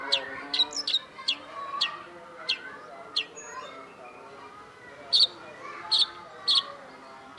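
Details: Cendet, the long-tailed shrike, master-song recording: a run of varied sharp ticks and slurred notes, then four loud harsh chirps about half a second apart, over soft warbling.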